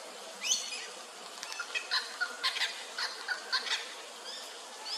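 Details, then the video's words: Little wattlebird facing off against a noisy miner on Darug Country, Sydney: a run of coarse, scratchy bursts about every quarter second in the middle, with a few thin rising whistles near the start. "The Little Wattlebird in a standoff with a Noisy Miner"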